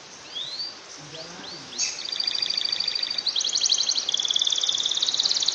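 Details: Canary song used as a tutor recording to push lazy canaries into long continuous singing: faint rising whistles at first, then a loud, fast, buzzy trill of repeated notes building to the end.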